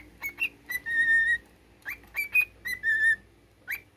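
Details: A caged pet cockatiel sings its military song, a learned melody of upward-sliding whistles and longer level notes, phrases repeating about every two seconds against a quiet indoor background.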